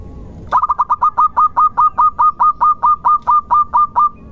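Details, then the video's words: Local zebra dove, used as a lure to prompt other birds to sing, delivers a long run of cooing notes that begin in a quick tumble and settle into a regular, longer-noted rhythm. "irama Tembakannya ngotot di awal panjang di belakang merdu di tengah pancingan Perkutut Lokal Gacor"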